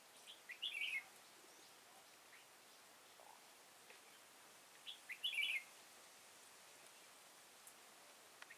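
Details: Red-whiskered bulbul singing during bird trapping at Kim Bôi, Hòa Bình, 6 April 2017, with a caged decoy; two short, bright warbled phrases about four seconds apart, each a quick twisting run of notes, over steady faint background hiss.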